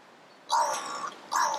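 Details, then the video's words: Crow singing: two rough, grating caws, the first long and wavering, the second shorter and following close behind, with near-silence before them. "Crow singing for me / Kråkan sjunger för mig"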